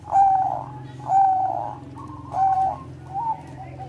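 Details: Zebra dove of the Bangkok type singing to stir breeding condition: sustained, even, ringing coos, each about half a second long, repeated roughly every second, over a steady low hum.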